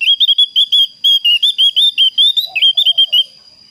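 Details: Javan grey-throated white-eye calling a rival, its voice very clear: a long rapid string of bright whistled notes, slightly wavering and upslurred, with a brief lower buzzy note near the end and a steady thin background tone.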